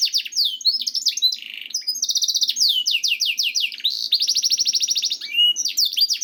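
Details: Canary song used to stimulate other canaries to sing. Fast rolling trills of repeated downward-sweeping high notes change from one type to the next, with bursts of buzzy tours between them.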